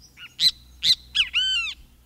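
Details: Great kiskadee (Pitangus sulphuratus), whose call announces its name: three quick harsh nasal notes, then a longer ringing note rising slightly and falling away, the phrase under two seconds.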